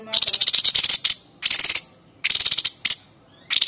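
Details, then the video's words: White-breasted babbler (Stachyris grammiceps), a Javan endemic kept as a song tutor for other cage birds, gives its coarse, varied calls: dry, high, rattling chatter bursts of rapid clicks, each under a second, with brief pauses. "TEPUS DADA PUTIH GACOR NEMBAK VARIASI"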